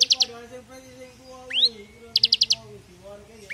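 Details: Bar-winged prinia (Prinia familiaris), song.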